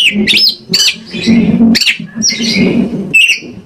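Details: Oriental magpie-robin used as a singing lure: slurred whistles and harsher, scratchy notes alternate in short bursts, partly masked by a steady low background rumble.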